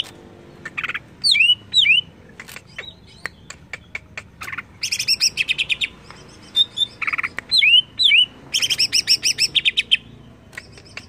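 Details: Greater green leafbird agitated by a lure: bursts of dense chatter alternating with paired falling whistles and sharp ticking notes, the phrase pattern repeated twice.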